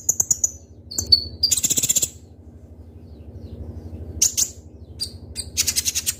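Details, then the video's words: Ninja sunbird (konin) sharp song: quick high trilled notes and a buzzy burst, a silent pause of about two seconds, then more high chirps and buzzy rattles. "Suara Burung Kolibri Ninja Konin Gacor Full Isian Tembakan Tajam Ngobra"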